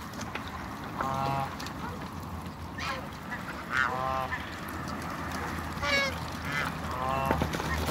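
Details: A pair of Muscovy ducks playing with water in a backyard. Five or six short, harmonic honking calls come every one to two seconds over a steady low hum and background rustling.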